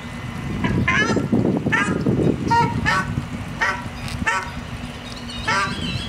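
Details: Ruddy shelducks with ducklings at Aeres Barneveld: loud nasal honking calls with stacked harmonics, given in a rapid, uneven series roughly every half second, over a steady low hum and rumbling background noise.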